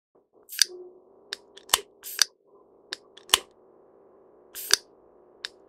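Great spotted woodpecker giving sharp, high, single 'kik' notes at irregular intervals, mixed with dry clicks over a low, steady hum.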